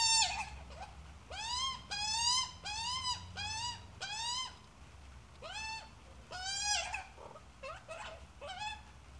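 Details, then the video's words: Australian magpie with a chick, close and loud: a series of strongly harmonic, upswept nasal calls in irregular bursts, some drawn out, some clipped and harsher, with short gaps between groups. "Australia magpie and chick"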